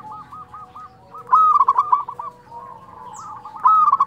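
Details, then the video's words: Zebra dove of local stock singing its fluty nyuling style, two bright rising coos each followed by rapid stuttering notes, while softer cooing from other doves runs underneath. "perkutut lokal gacor suara nyuling"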